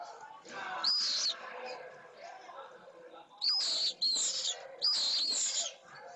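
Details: Pallid swifts (Apus pallidus) approaching their nest at a school in Jerez de la Frontera as the school day begins, giving harsh, buzzy screams in four bursts of about half a second each, with softer chattering between.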